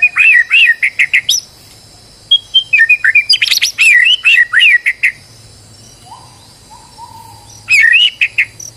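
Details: White-rumped shama under stress, singing as a lure to draw song from another bird: bursts of varied, rapid whistles and chattery notes with sharp accents, separated by pauses holding a low steady whistle.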